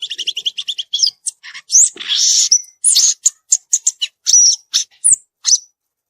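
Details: Wild violaceous euphonia song opening with a quick run of evenly spaced high chips, then buzzy trills, sharp upslurred whistles and a string of separate bright notes.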